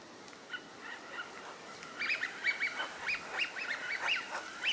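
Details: Eurasian wigeon, wintering ducks in a park pond at Junsai-ike Ryokuchi, Chiba, Japan, in April; a series of short whistled notes, several birds calling together, growing louder after two seconds.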